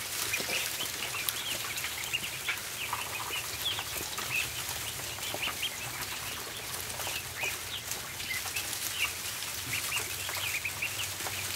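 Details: Many ducklings feeding on a barn floor, with a continuous chorus of brief high-pitched peeps among dense clicking and pecking sounds and a faint low hum.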